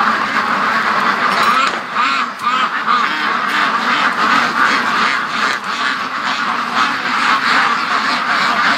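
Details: Free-range domestic ducks from a flock of over 650, rushing between the lake and home, recorded in 2014. Dense overlapping quacks, low and nasal, in rapid irregular bursts over a steady roar of wind.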